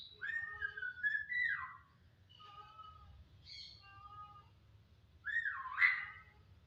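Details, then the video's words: Starling (jalak) gives a long wavering whistle sliding downward, then several soft, steady whistled notes at a lower level. It ends with a loud swooping whistle that rises and falls. "Siulan menawan Burung JALAK"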